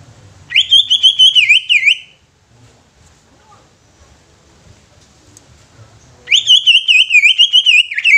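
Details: Greater green leafbird delivering high, rapidly trilled whistle phrases to draw other leafbirds into song and agitation: one burst of about one and a half seconds, a quiet pause of four seconds, then another similar burst.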